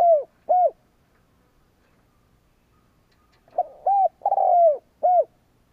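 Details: Decoy spotted dove provoking rivals: the tail of one cooing phrase, two rounded coos, then a pause of about three seconds before a full phrase with a long falling coo and a final short note.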